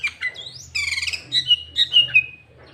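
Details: Loud, clear sooty-headed bulbul song meant to lure and stir up rival bulbuls, filled with green leafbird phrases: quick slurred whistles, a rising sweep, a buzzy burst, then a few ringing descending notes in close succession.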